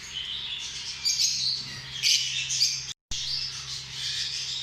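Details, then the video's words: Continuous high-pitched lovebird chattering, harsh squeaky notes blending together, with a brief silent dropout near the three-second mark and a faint low hum throughout. "Amazing sound of love birds"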